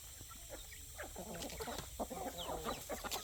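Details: Roosters, hens and chicks on a poultry farm at evening food time: a busy chorus of short, low clucks and murmurs, overlapped by thin, high, downward peeps from chicks.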